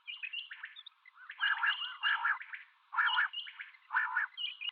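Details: Common quail calling, male and female mixed: four loud phrases, each a quick triple of liquid notes roughly once a second, overlaid by softer higher trills, narrow filtered tone, no other sounds.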